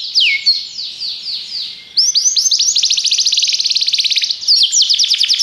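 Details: Belgian canary sings for training, beginning with drawn-out descending slurs and then breaking into a loud, very fast, even trill of repeated high notes, about three to four per second.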